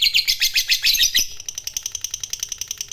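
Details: Lovebird of the fighter type singing a long ngekek trill used to provoke other lovebirds: dense high chattering notes, then a rapid, even ticking repeated about four times a second.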